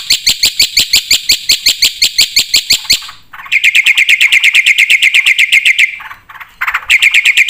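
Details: A black-winged starling sings vigorously, with fill-in phrases, for training other birds and coaxing them into song. Bursts of rapid, evenly repeated sharp notes alternate with lower buzzy chattering series, broken by brief pauses.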